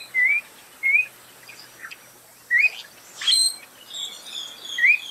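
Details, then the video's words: Spot-breasted oriole singing: clear, slurred whistles rising and falling, given in short separated phrases, with faint high chips from other birds between them. "Canto Oriole de Peito Manchado"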